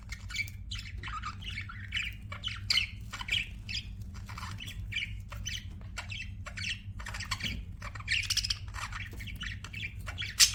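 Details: Budgerigar chirping goes on nonstop: clipped, buzzy squawks and quick warbled chirps follow each other in an uneven rhythm, with a constant faint low-pitched hum behind.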